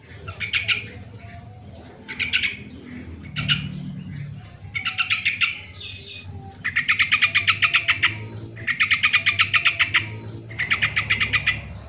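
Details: Sooty-headed bulbul song used as a trigger for birds reluctant to sing: short chattering trills of fast repeated notes, lengthening toward the end, separated by brief gaps, with low background rumble.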